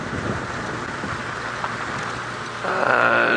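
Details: Steady vehicle rumble and wind-like hiss, with a louder engine tone swelling near the end.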